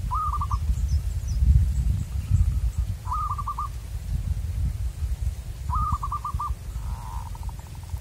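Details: Wild local zebra dove heard during a luring session repeats short rolling phrases of rapid cooing notes about every three seconds, four in all, the last trailing into a softer buzzy trill, over low rumbling noise.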